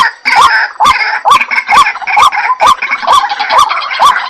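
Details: Loud, rasping white-breasted waterhen notes, each with a rising hook, repeated steadily about twice a second over several seconds.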